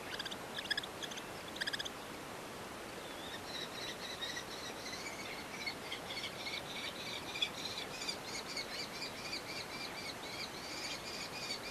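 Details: Red-footed falcon chicks begging as an adult feeds two young at a nest in a natural breeding colony near Hortobágy National Park, Hungary, on June 30; a few early bursts, then dense, repeated high chattering calls over steady background hiss.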